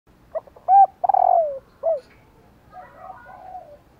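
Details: Female spotted dove calling to prompt males to coo back: a short soft note, a loud level coo, then a rolling, descending purr, closed by a brief note, with faint drawn-out crowing from a distant rooster afterward.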